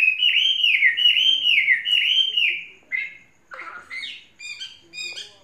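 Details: Captive Chinese hwamei, a fault-free tame bird of three seasons, gives a string of loud, rich slurred whistles repeated about twice a second, then a short pause and higher, sharper clipped notes.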